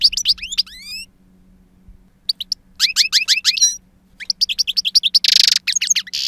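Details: A two-year-old European goldfinch gives wild-type song with a powerful timbre: clusters of quick, high descending chirps separated by brief silences, then a harsh buzzy burst, over a steady faint hum.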